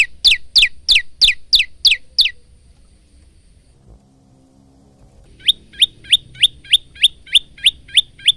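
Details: Male Bar-winged prinia singing, used as a training song for cage birds, recorded on a phone: a fast series of sharp descending chirps, then a pause with low rumble, then evenly repeated high clipped notes about three per second.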